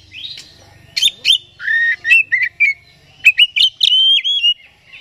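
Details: Oriental magpie-robin (kacer) lure song: clear sustained whistled notes alternating with sharp chips, phrases separated by short pauses, faint low hum behind.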